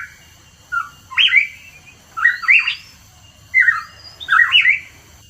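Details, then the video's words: Hooded pitohui song used as a lure: two groups of clear whistled, slurred notes, each a quick rising-and-falling cluster of three or four notes, with quiet pauses between them and a faint steady hum underneath. "PANCINGAN PITOHUI KEPALA HITAM"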